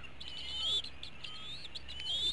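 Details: Eaglets at an eagle nest in Hanover, Pennsylvania, at dinner time on 5 April 2017; thin, high whistled squeals rising and wavering, two main bursts about a second apart, over a faint steady low hum.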